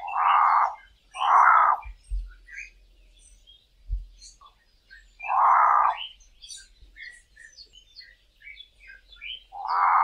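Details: Two Cape crows calling from treetops in the dawn chorus give harsh, hoarse caws, two in quick succession, then single ones after longer pauses, over high thin chirps and whistles from other small birds.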